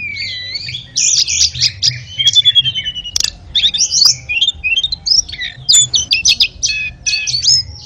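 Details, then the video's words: Song of the ashy tailorbird, a master recording for canaries and magpie-robins: rich, rapid, jumbled high twitters and whistled slurs in long phrases, with brief gaps between bursts. "masteran suara tledekan bagus buat kenari dan kacer"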